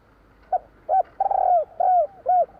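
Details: Javan spotted dove song of the 'kuk 3' type: a short cooing lead-in, then a long vibrating purr followed by two rounded, slightly falling coos, clean and close with no other sounds.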